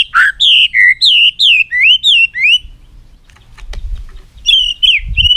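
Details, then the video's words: White-rumped shama giving a rapid series of loud alternating high and lower slurred whistles, then a pause with faint rustling and a few final whistled notes. "chòe lửa hót giọng dây dài"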